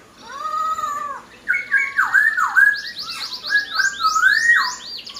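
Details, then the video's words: Laughingthrush delivering loud varied song: long sustained whistles, then sliding looped notes mixed with quick buzzy upward sweeps. "POKSAI HONGKONG GACOR"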